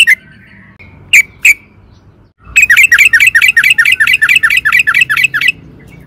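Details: Sooty-headed bulbul, known locally as trucukan, in a lively song used as a lure to set other birds singing: a few sharp notes, then a fast run of about fourteen bright, bubbling chirps.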